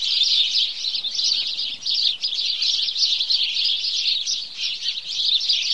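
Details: House sparrows give their morning chorus, a crowded flock of birds tweeting and chirping continuously in a bright, even, high-pitched chatter.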